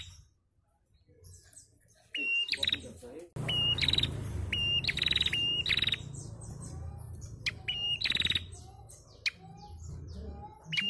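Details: Female bar-winged prinia gives short, sharp high chips in quick bursts, several per second, over a low background rumble; the call is used to stimulate males to sing.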